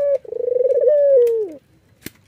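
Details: Laughing coo of a white Barbary dove with red eyes, bowing as it calls: a short clipped note, then a pulsing trill running into a long sustained tone that slides down, with a faint click after.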